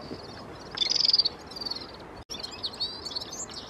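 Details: Singing red-fronted serin: a quick, jingling, very high trill, then lighter scattered twitters continuing after a short gap, over steady hiss.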